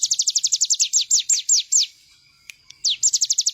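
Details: Bar-winged prinia singing actively, a rapid run of high, sharp downslurred notes about four per second, slowing into longer slurs, a short pause, then another fast series.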